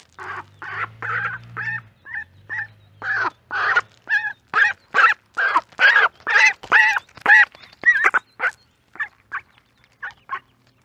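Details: Mallard duck calls recorded with a mic by the corn, with ducklings present: a long run of loud, rasping quacks at about two per second, growing more regular toward the middle and then tapering off.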